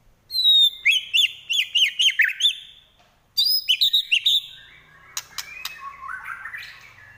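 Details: Fighting white-rumped shama delivering trotol-style song: two fast series of repeated looping whistled notes, each cut off by a pause, then sharp clicks and a softer rising warbled phrase.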